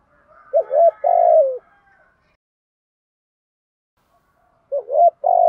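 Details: Spotted dove cooing thúc gù style to stimulate other doves in training. One full phrase sounds, a wavering upnote then a long falling coo, followed by silence and a second phrase starting at the end.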